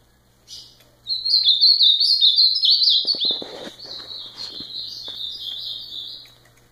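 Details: An ultramarine grosbeak delivers one long, loud warbling phrase of rapid slurred whistles, gradually softening over five seconds, with faint clicking and rustling sounds in the middle.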